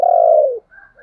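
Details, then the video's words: Single long, low, mellow coo from a spotted dove, part of a lure for wild doves, steady then dropping at its end, followed by fainter higher tones. "chim cu gáy"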